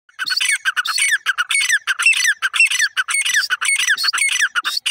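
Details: Grey francolin (teetar) calling: harsh, squawking notes repeated rapidly and overlapping in a dense, scratchy chorus with no pause, steady and loud throughout.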